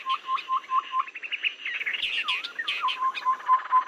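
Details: Babbler lure recording used for trapping, said to work through rainy and dry seasons. A few short repeated notes give way to a busy burst of overlapping chirps, then the steady note series resumes.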